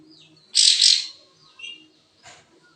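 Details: [1, 'likely', 'song', 'Cream-vented Bulbul in breeding condition with its tail spread, giving one loud, broad burst of dense high chirping notes, followed by quieter short chirps and a faint high note.']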